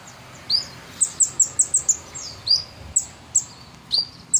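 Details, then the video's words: Sunbird, called kolibri ninja, singing vigorously, recorded as a tutor recording for training caged birds: sharp high chirps and short rising whistled notes in irregular bursts, with quiet gaps between them. "Kolibri Ninja Gacor Masteran Jos"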